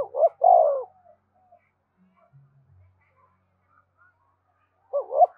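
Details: Spotted dove song for prompting captive birds to sing: one full phrase of short notes and a long downward coo at the start, a long pause, then another phrase beginning at the very end.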